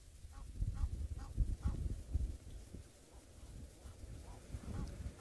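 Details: Egyptian geese at a dam in Djuma Game Reserve at sunset, 5 October 2017, sound the alarm at a male leopard and swim away from him: rapid harsh honks, about four a second, fading into softer scattered calls over a low rumble.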